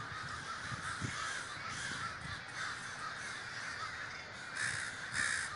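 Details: Davis, California crow gathering: a thick murmur of many distant caws, with a couple of nearer, louder harsh caws rising out near the end over a constant low hum.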